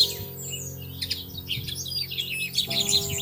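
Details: Pair of nesting Bushtits in a plum tree, early May: scattered high thin chips building into a denser twittering run toward the end, with music playing underneath.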